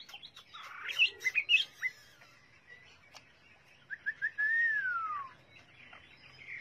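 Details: Chinese hwamei giving scattered short chirps and whistles, then one long, clear whistle that slides steadily downward. The phrases are set among quiet pauses.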